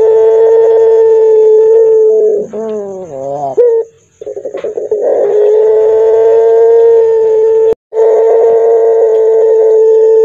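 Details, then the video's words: Puter pelung, a Barbary dove with a voice called hoarse, deep and frightening. Long, level, hoarse coos are held for several seconds and broken by a burst of quick wavering notes. The final long tone is cut off briefly. "Suara PUTER PELUNG serak menyeram kan"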